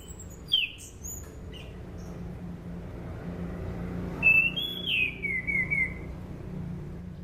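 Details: Orange-banded thrush song recorded as a lure for training songbirds: a brief falling whistle early, a pause, then a longer phrase of bright whistles that step downward and trail off.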